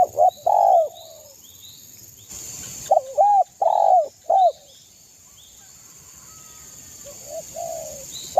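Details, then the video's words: Energetic song of a local East Javan zebra dove, meant to provoke rival birds: clusters of quick bubbling coos with rolled, slightly descending notes in several bursts separated by short pauses, over a quiet background hiss. "SUARA burung derkuku gacor MENEKAN lawan EMOSI"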